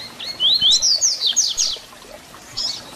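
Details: ["Double-collared seedeater, the papa-capim, singing its 'Tui Tui Zel Zel' fibra song for teaching young birds. A clear phrase of climbing whistled slurs runs into quick, bright descending notes, followed by a faint chirp."]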